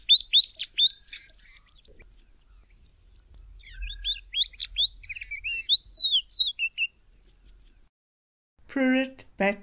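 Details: A Sabota Lark in the southern Karoo sings two bursts of quick, varied, high chirps and twittering notes; a man's voice speaks briefly at the end.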